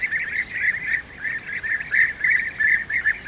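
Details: European bee-eaters at the nest during feeding of the young: a rhythmic series of purring, trilled notes, roughly three per second, swelling and fading in waves.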